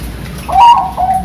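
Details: A Bangkok-type zebra dove in Sidoarjo, East Java, gives a brief soft coo: one mellow note rising then holding, followed by a second lower, steady note.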